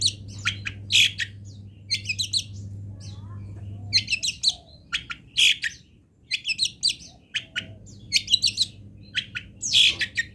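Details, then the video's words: Local Indonesian long-tailed shrike fill-song training material: dense, busy run of sharp chirps and scratchy twitters in irregular clusters, with a steady low hum in the background for part of the recording. "ISIAN WAJIB BURUNG CENDET - 99,01% PATI ADA ISIAN MODEL INI | MASTERAN CENDET LOKALAN"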